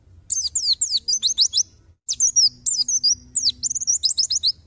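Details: Tutor recording for songbirds featuring a white-eye: dense bursts of high, fast, sweeping chirps in two runs split by a short silence, with a faint low hum underneath.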